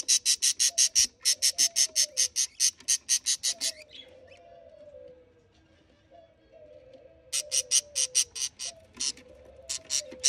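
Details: Budgerigar chicks being fed by a parent beg with rapid, raspy, evenly pulsed chirps, joined by soft, lower warbling notes.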